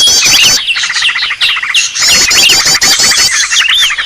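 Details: Green leafbird calling noisily to draw in other birds. Rapid, irregular harsh notes almost three a second, overlaid with looping whistles, broken by a few brief pauses.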